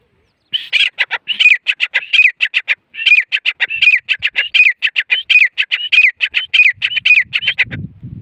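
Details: A Grey Francolin (teetar), possibly female, gives a long run of sharp, high, clipped notes, about four or five a second at a steady pace, ending with a low thump.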